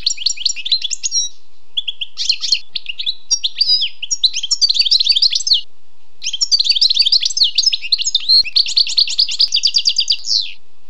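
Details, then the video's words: Wild European goldfinch singing at length: varied bright twitters, buzzy notes and fast tinkling trills in two long phrases separated by a short pause. "Écoutez et appréciez le doux chant du chardonneret sauvage"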